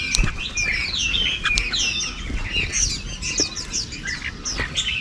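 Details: Red-whiskered bulbuls in a flock, carrying food to feed their young during the breeding season, give busy overlapping chirps and sharp slurred whistles, high and rapid, with occasional wing flutters or clicks.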